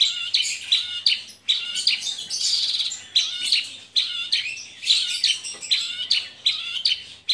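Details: Javan bush lark with mottled plumage, kept caged, singing lively: short phrases of sharp, scratchy high notes mixed with thin whistles, repeated roughly every half second without pause.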